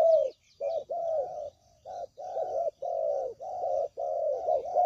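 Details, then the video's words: Spotted dove cooing played as a trapping lure, a clear decoy call; throaty, even coos in a steady string of roughly half-second notes, with faint twittering of other small birds above. "Suara Pikat Burung Tekukur Paling JITU"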